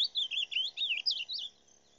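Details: Rufous-bellied thrush singing: a rapid run of clear, warbled whistled phrases rising and falling, about six notes delivered in one and a half seconds, then quiet.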